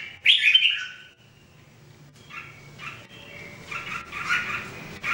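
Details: Red-whiskered Bulbul, one of three trained birds singing daily, voice testing; a loud bright scratchy burst opens, then a pause, followed by softer repeated chirps and warbled notes returning about four times a second, with faint low hum.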